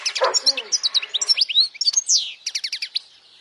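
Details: European goldfinch in full song, played for young goldfinches to memorize and to draw in females; opens with a harsh low rasp, then high liquid twitters and slurs, ending in a quick series of repeated bright chirps.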